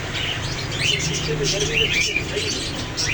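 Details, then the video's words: Parrot giving arched, squeaky screeches at about one and two seconds and again near the end, over a steady low hum and faint background chatter. "Parrots Sound | Parrots Cute Voice"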